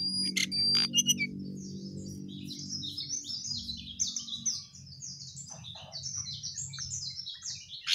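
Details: Sooty-headed bulbul singing quickly, a stream of short chirped and whistled notes repeated in rapid sequence, with a few sharp tweets at the start and a steady low hum underneath.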